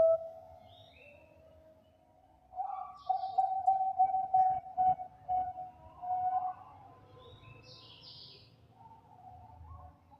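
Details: Champion Bangkok zebra dove voice used to lure other zebra doves: a soft opening note, then a run of steady mellow coos broken into short pulses, fading out, over faint background noise.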